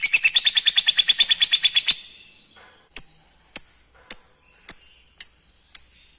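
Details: Lovebird lure call, used to get young untrained lovebirds to respond and call: a fast run of shrill, high chirps at about six per second for two seconds, then six sharp single chirps spaced about half a second apart.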